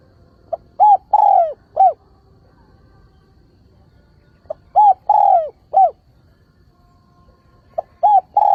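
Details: Lure spotted dove calling to attract wild doves for trapping, recorded without noise. Three soft cooing phrases about four seconds apart, each a pip, short coo, long sliding coo and short final coo, the last phrase cut off.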